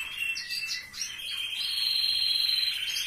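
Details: Short burst of caged canary song in a relative's aviary: a few chirped notes, then a long, even, high rolling trill held to the end.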